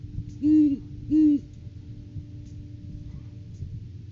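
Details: A pair of Great horned owls visiting their nest tree during courting season before February egg laying: a pair of deep, even hoots close together, followed by quiet hum and soft background sounds.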